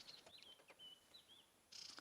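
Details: White-browed Scrub Robin alarm calling, likely at a nearby pearl-spotted owl, on a July morning safari drive in the Sabi Sands, South Africa: faint, high, thin chirped notes strung quickly over two seconds, ending in a brief hissing burst.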